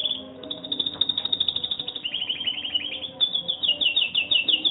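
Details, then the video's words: Canary in training, about one month in, singing fast rolling trills of rapidly repeated high notes, with a rattling stretch and a brighter trill toward the end. "Canary singing in training"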